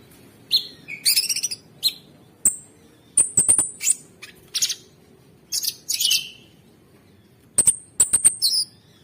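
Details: Masteran song of cucak sungkok (sooty-headed bulbul) with coarse 'ngebren' filler, made for training contest songbirds: sharp high ticks, thin piercing whistles and short buzzy trills, scattered irregularly.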